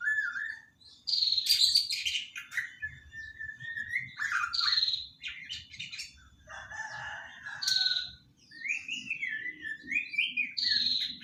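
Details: Juvenile white-rumped shama, three months old, practising song (dokor): clear rising and falling whistles mixed with harsh chattering bursts and broken phrases, separated by short pauses.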